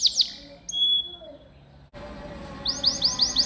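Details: Canary singing in strong form as a master song: brief high notes, a pure whistled tone, a short pause with an abrupt cut, then a quick rolled trill of repeated arching notes.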